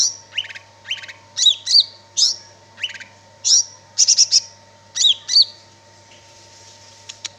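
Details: Greater green leafbird singing actively: varied high whistled phrases of quick trills, sweeping slurs and clustered chirps, delivered in bursts with short pauses and a constant low hum beneath.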